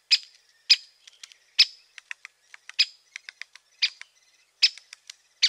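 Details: Great spotted woodpecker calling with loud, sharp "kik" notes mixed with fainter, quick ticking notes in between, in an otherwise quiet background.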